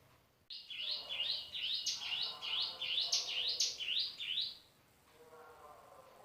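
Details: Male Hill Prinia giving about a dozen sharp, high, down-slurred notes in quick succession, then falling quiet, with faint lower sounds in the background.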